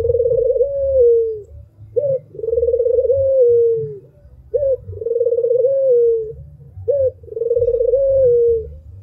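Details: Barbary dove known locally as puter, an albino bird, repeats its song in a steady cycle: a short clipped note, then a long rolling coo, trilled at first and smoothly falling at the end, about every two and a half seconds.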